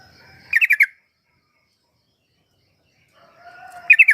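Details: Sooty-headed bulbul, a wild-caught bird, sounding as a lure to prompt a reluctant bird to sing: two quick bursts of four bright chattering notes, near and then at the end, with faint lower drawn-out whistles between.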